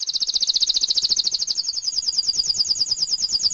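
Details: Canary song from a master recording for training magpie-robins, leafbirds and white-eyes to sing; a clear, very rapid high rolling trill of even pulses, about nine per second, running unbroken throughout.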